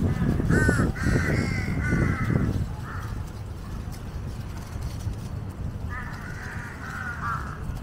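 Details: Large-billed (jungle) crow (Corvus macrorhynchos), one of a large flock gathered around an Asian water monitor feeding on a giant snakehead carcass, waiting for scraps: quick burst of harsh, nasal caws, a pause, then a second run, over a steady low rumble.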